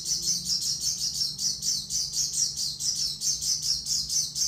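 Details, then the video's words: High, sibilant twittering from an Oriental white-eye, short bright chirps repeated quickly and evenly throughout, over a low background hum. "pleci suara OB"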